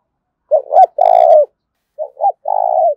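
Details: Spotted dove calling aggressively in a contest, 'thổ pha đồng' style of a wild-caught bird: two coo phrases about a second and a half apart, the first loud with a long held note, the second softer and shorter.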